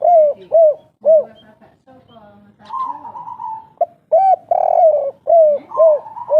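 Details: Old local spotted dove of the forest singing the "kuk 3" coo. Bursts of deep, rounded hoots about twice a second break around a quieter stretch of softer murmuring coos.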